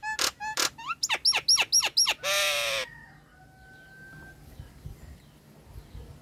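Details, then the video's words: Nias hill myna song used as a lure to get mynas singing again when they have gone quiet, are stressed or are moulting: loud, harmonic whistled notes, rapid rising slurs and a rich buzzy burst, then fading to near silence. "PANCINGAN JALAK NIAS LEPAS- MACET BUNYI-STRES dan MABUNG"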